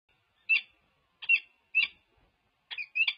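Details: Wild peregrine falcon pair courting at a nest cam at UC Berkeley on 14 February 2024, touching beaks: four harsh, scratchy chips, the last two doubled, spaced about a second apart against silence.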